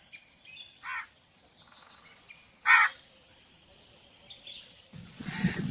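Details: A single loud, harsh crow caw mid-recording, amid thin high chirps from smaller birds, ending in a burst of rough noise.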